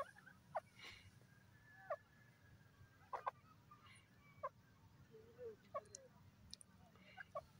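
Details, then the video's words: Desi (dakhni) teetar, a francolin, giving short sharp clipped notes spaced irregularly about a second apart, some doubled or slurred, over a steady low rumbling background hum. "wonderful teetar awaz desi dakni teetar sound"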